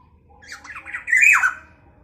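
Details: Black-naped oriole calling in a way said to stir up other orioles: a single harsh, nasal squawk made of quick slurred notes that swell and then drop away, over faint background hum.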